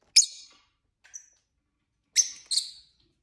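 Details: Pet lovebirds chirping and squabbling: a single piercing high chirp, a faint short whistle, then two quick shrill notes near the end.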